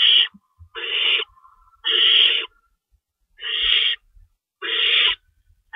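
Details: Owls at the nest at feeding time, 3:53 AM on March 25, 2012, with two rabbits stored as food: five harsh, breathy hissing screeches, each about half a second long, with uneven gaps between them.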